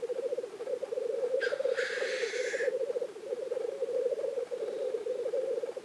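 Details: Steady low bubbling rookooing fills the lek scene at Innvik in 2014, where black grouse display; a sharp, airy hissing sneeze cuts across it for about a second.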